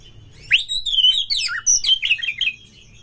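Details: Oriental magpie-robin singing as a lure for kacer birds in mating mood: continuous rich warbling with sweeping whistles, swooping downward slurs and fast varied notes for over two seconds.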